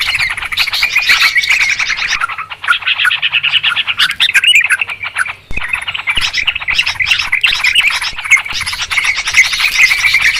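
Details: Lure recording of noisy Yellow-vented Bulbul calls for trapping birds, an unbroken scratchy chatter of many quick overlapping notes with one short lull midway.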